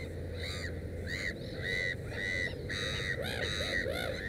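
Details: Harsh, rasping kwarr-like calls from a Black-headed gull near its nest with three chicks, each note arching up then down, repeated about every half second, with a low rumble in the background.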